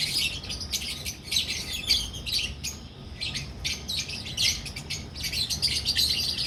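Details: Colony of albino red-eyed and personata red-eyed lovebirds in a breeding setup in Pakistan, giving dense, shrill, high-pitched chirps in rapid overlapping bursts with barely a pause, several birds calling at once.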